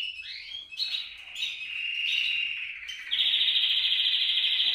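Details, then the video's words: Canary singing, used to encourage pet canaries to sing: swooping whistled notes and short phrases that give way to a loud, rapid, even trill in the final seconds. "100% TU CANARIO CANTARÁ CON ÉSTE VÍDEO | CANTO CANARIOS"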